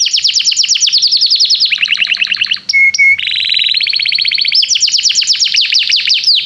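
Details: Canary song meant as a learning cue for young canaries: rapid chains of repeated falling notes, brief pure whistles midway, then more fast rolling trills at high pitch.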